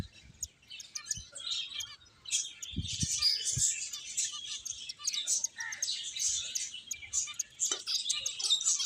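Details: Several finches playing together, their thin, rapid chirping forming a steady high chatter that thickens after the first two seconds, with occasional soft knocks below.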